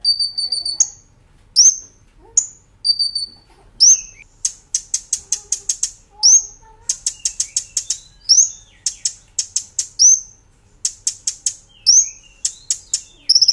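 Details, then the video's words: Brown-throated sunbird master recording for training cage birds, lively 'nembak ngerol' delivery: brisk runs of very high, sharp clicking notes broken by rising whistled flourishes, repeated steadily for over ten seconds. "Masteran Kolibri Ninja Gacor Nembak Ngerol"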